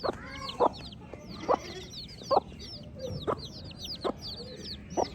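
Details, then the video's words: Baby chicks chirping: many thin, high, downslurred peeps overlapping in a steady chorus, with sharp low knocks about every second. "Baby Chick Chirping Sounds"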